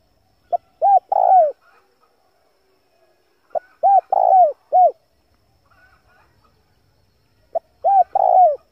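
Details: Male spotted dove calling, a lure sound for wild doves: three crisp phrases roughly three seconds apart, each a brief pip, two arched coos, a longer trembling coo and a closing downward coo, with quiet between.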